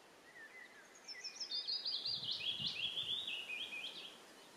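A Spotted flycatcher gives thin, high, scratchy squeaks in a quick, uneven run, some notes rising and falling, over faint low rustling.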